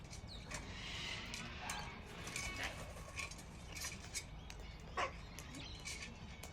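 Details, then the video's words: A crackle of Sulphur-crested cockatoos outside a home in Australia in March gives harsh, raspy screeches in irregular bursts, the loudest near the end. A steady low rumble is in the background. "Sulphur Crested Cockatoo Crackle Making Loud Noises"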